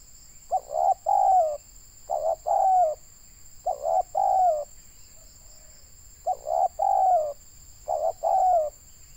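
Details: Spotted dove (tekukur), a local bird used as a decoy for trapping in Indonesia, giving loud cooing phrases: a short double note then a long falling coo, repeated about every two seconds, with steady high-pitched hiss in the background.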